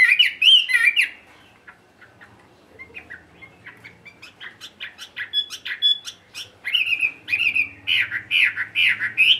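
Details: A tame caged Chinese hwamei sings alone at midday. A loud whistled burst opens, then quieter clicks and short chirps follow before the bird resumes strong, repeated slurred whistles toward the end.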